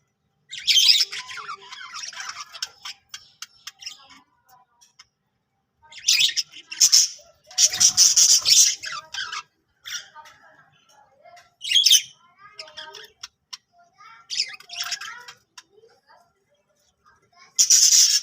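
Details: Budgerigars that have laid eggs, in their first winter season, chatter in the morning in bursts of harsh squawks and quick, scratchy chirps, all high and busy.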